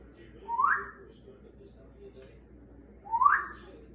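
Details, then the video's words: Congo African grey parrot, a 32-year-old rescued male with scissor beak and clubbed feet, kept indoors, gives two rising whistled notes about two and a half seconds apart over a low background hum. "African grey talking up a storm he’s the smartest talking bird!"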